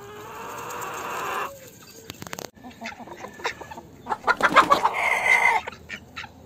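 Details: Chickens in a farmyard, a loud broadband burst at the start, a pause, then a run of short sharp clucks and squawks building to a dense cackling flurry before fading.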